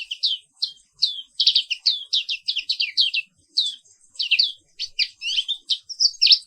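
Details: Black-capped white-eye of the Papua wiklus kind singing in the morning: a lively, continuous chatter of high, sharp chirped notes in short runs, barely pausing between phrases.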